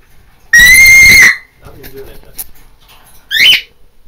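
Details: An indoor pet macaw in Ohio gives one loud, piercing, steady scream lasting almost a second, then a shorter rising squawk about two seconds later.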